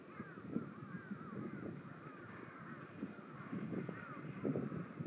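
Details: A flock of wigeons on water gives many overlapping short, arched whistles, rising then falling, over a steady low murmur of softer chattering calls.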